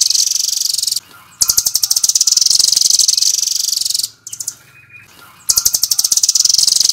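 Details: Fast rattling bursts from a velvet-fronted nuthatch, known locally as rambatan, sung in the full-speed 'nembak' manner. High, tightly spaced ticking pulses run in three bouts separated by short gaps, with faint lower murmurs between.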